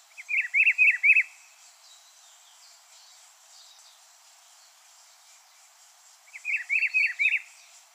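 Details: Pitiguari, the rufous-browed peppershrike, delivers a brief melodious phrase of four or five rolling whistled notes, then repeats it after a long pause; light ambient hiss behind.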